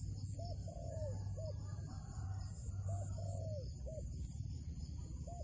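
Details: Wild dove being lured into a trap gives soft low coos: a short hooted note, then a longer downward-slurred coo and another short note. The phrase repeats about every two and a half seconds over a steady low rumble and a faint high whine.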